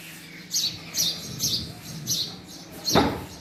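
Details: Five quick high chirps from a male house sparrow, evenly spaced about half a second apart, followed by a sharp knock like a door or cupboard.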